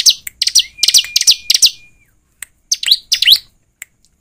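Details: Bar-winged prinia (ciblek) lure song: a fast run of sharp high chirps over a long thin level whistle, a short gap, then a cluster of twisting slurred notes.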